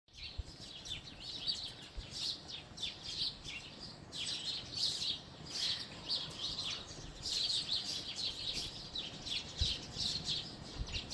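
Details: House sparrows chirping: a dense, overlapping chorus of short, bright chirps that keeps going for the whole stretch, with a brief lull near four seconds and low background rumble underneath.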